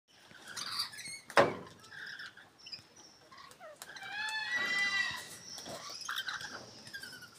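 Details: Lorikeet at Tamworth, New South Wales, Australia: harsh, screechy chattering calls with buzzy, varied notes, several loud squeals bunched together and overlapping.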